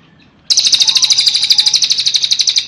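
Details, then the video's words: Cililin song used as a training master for songbirds: a loud, fast, buzzy trill of evenly repeated high notes, about eight per second, starting abruptly after a short quiet moment and running steadily to the end. "SUARA BURUNG - Masteran Terbaik Cililin"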